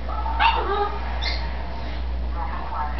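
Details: A female green-winged macaw, talking up a storm in a dim room when she thinks no one is there, chatters in short, speech-like bursts of harsh, voice-like syllables over a steady low hum.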